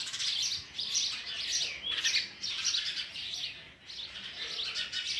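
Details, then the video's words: An adult sparrow tries to feed its chicks oversized food as they beg with continuous, shrill, high chirping in rolling waves, briefly fading before picking up again. "Sparrow bird is trying to feed it's chicks oversized food"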